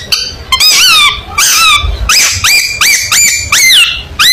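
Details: Long-tailed shrike in full contest-style song: loud squeaky notes, each sweeping up and then down, repeated roughly every half second with short gaps between bursts.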